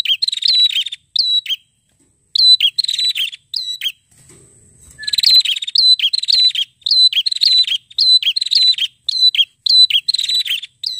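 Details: Prinia, locally called red-headed prenjak, a fighter bird singing loudly and persistently: bursts of sharp, high chirps and short whistled notes in rapid runs, with a brief pause near the middle before the lively chattering resumes.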